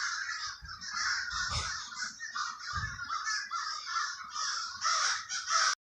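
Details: Crows in the Villa Park neighborhood of Trenton, New Jersey, giving a continuous run of harsh, rasping caws that overlap and repeat without pause, several birds calling together against a little low background rumble.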